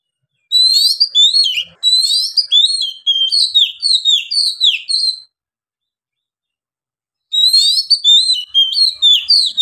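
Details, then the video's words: Oriental magpie-robin in Indonesia singing vigorous, long-breathed ngeplong song: fast series of high whistled, slurred and chattering notes over about five seconds, a two-second silence, then the rapid phrases resume. "KACER GACOR NGEPLONG NAFAS PANJANG"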